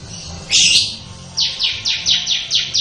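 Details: Bar-winged prinia singing in the ngebren style: a long harsh buzzy burst, a short pause, then a quick series of about seven descending buzzy notes, each under a quarter second, over faint low hum.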